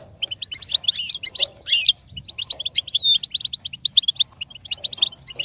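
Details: Goldfinch singing for a learning bird to imitate: fast, bright chattering notes, a few rising whistles and buzzy rasps, building into a steady stream of short high twitters, with a faint low hum.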